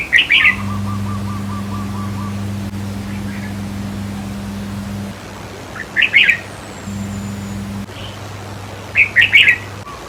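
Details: Red-whiskered bulbul decoy song, played to excite caged birds: three short bright warbled phrases, at the start, near six seconds and near nine seconds, over a steady low electrical hum and a faint line of rapid ticking notes.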